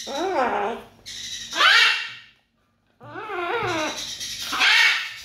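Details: Macaws, possibly Harlequin, Green-winged or Blue-and-gold: two bursts of wavering, throaty parrot vocalizing, each ending in a harsh, raspy screech, separated by a brief pause.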